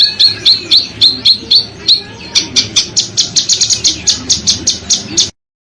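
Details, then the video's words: Bird song for training contest birds: a steady series of high whistled notes with downward flicks, then faster harsh buzzy shrieks. It stops abruptly before the end over a faint low hum. "Masteran Burung Lomba JERITAN RAPAT DAN KASAR FULL TEMBAKAN TAJAM"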